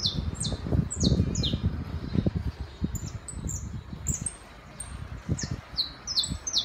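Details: Saffron finch singing in the city: sharp, high chip notes that slide downward, given in loose runs, over a steady low rumble of background noise.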